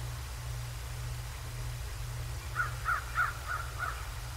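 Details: Bald eagle on the Decorah North nest cam, 7 January 2024 at 08:36: a quick burst of five sharp, high piping chirps, loudest in the middle, after a stretch of low humming background.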